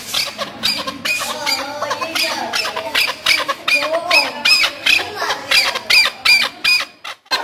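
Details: Home-reared chukar partridge whose call attracts the opposite sex and is used by hunters to lure birds: harsh, rapid chuck notes, roughly two to three per second, in a continuous grating series.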